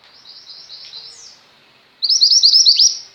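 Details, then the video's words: Female mountain white-eye in energetic song for tutoring pet white-eyes: a quiet string of high buzzy notes and a downslur, a second of silence, then a loud fast burst of sharp, high chirps. "mantenan gunung betina gacor"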